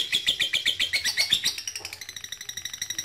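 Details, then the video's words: Lovebird ngekek, called toward a rival as a lure: a quick series of harsh, shrill chips, louder at first, then thinner and softer in the final second. "PANCINGAN LOVE BIRD MEMANGGIL LAWAN AGAR RAJIN NGEKEK PANJANG"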